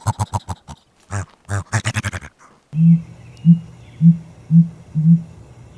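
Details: Male Dusky grouse (Dendragapus obscurus) in courtship display with fanned tail, attracting watching females: five deep, soft hoots about two per second, produced by inflated neck air sacs; a man's voice speaks just before.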